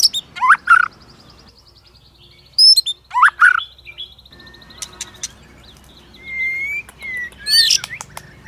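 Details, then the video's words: White-rumped shama in a provoking, many-voiced fighting song. Scratchy phrases are joined by a long thin trilled whistle. Sparse clicks follow, then a smooth, slowly rising whistle and a final burst of notes. "Chòe lửa kích lửa CỰC HAY-NHIỀU GIỌNG ,tạch liên tục đập đuôi kích chòe lửa lên lửa hót đấu"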